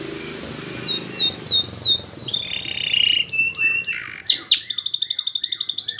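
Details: Belgian canary song for training young birds: a run of descending whistled slurs, a steady buzzy trill, clicks and a fast high rattle at the end, over a noisy background hum.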